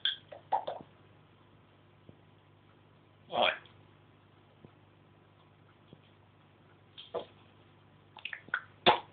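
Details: Captive African grey parrot talking and copying noises at home: scattered chattered syllables at the start, one loud harsh burst midway, then a quick string of speech-like sounds near the end.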